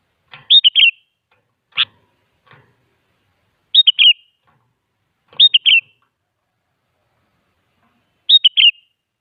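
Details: Sooty-headed bulbul singing eagerly as a lure for other bulbuls: repeated bright, bubbly phrases of quick slurred whistles every two seconds or so, mixed with single sharp chip notes and faint rustling.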